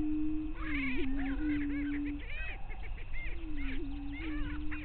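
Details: At dawn on a lek in Bluestem Prairie near Glyndon, Minnesota, May 9, 2023, greater prairie chickens give low, sustained moans, joined by a burst of excited, rising and falling cackling notes from several birds.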